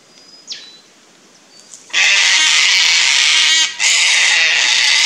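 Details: Harsh, broadband screeching from a pair of Sulphur-crested Cockatoos upset by a Lace Monitor in a tree beside their nest tree, Fraser Coast, Queensland, Australia; a loud sustained screech starts after faint high whistles, breaking once briefly.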